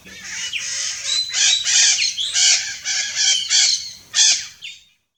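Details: Red-shouldered macaw calling in the wild in Brazil: a dense run of grating, screechy squawks, repeated quickly for about four seconds, ending in one loud shriek and then silence.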